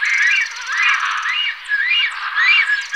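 Black stork giving wheezy, rising-and-falling whistled notes that overlap in a steady run, with a faint rapid ticking high above.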